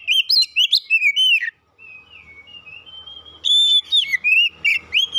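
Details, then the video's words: Oriental magpie-robin that took first place at a singing contest: quick chirped notes, a softer stretch of level whistles, then loud varied slurred phrases again. "Burung kacer mas Pentiel juara 1"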